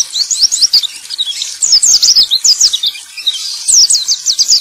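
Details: Male white-eye's high, rapid chattering song, used to get silent birds singing again: quick slurred whistles in two bursts with a short, quieter break in the middle.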